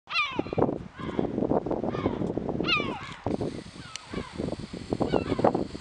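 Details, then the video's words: Yellow-legged gull calling below the castle in Alicante, dated 2/10/2021: two loud, harsh, downward-sliding nasal cries about two and a half seconds apart, over a constant background of rumbling urban noise and faint voices. "Gull (Larus michahellis) calling"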